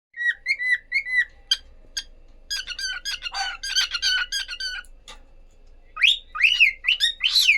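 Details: A cockatiel couple whistles bright, bending notes in short runs, then breaks into a burst of busy chattering and squeaky rising whistles, with a faint steady hum underneath.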